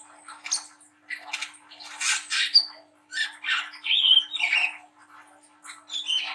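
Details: Young brown-throated sunbird in speckled juvenile plumage, delivering coarse chattering phrases meant to stimulate other young birds. Raspy, buzzy bursts and sharp whistled squeaks come in uneven clusters over a constant faint hum.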